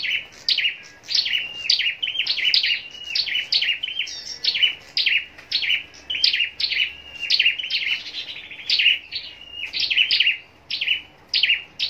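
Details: Long sequence from a captive contest-singing scarlet-backed flowerpecker in Long Thành, Vietnam: steady stream of high, needle-thin descending notes repeated about twice a second with little pause.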